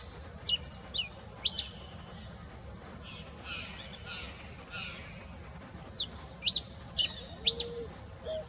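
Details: Before dawn, a red-pileated finch gives thin, high, sharp chirps in small clusters at the start and end, with a softer blurred chorus of other birds in between.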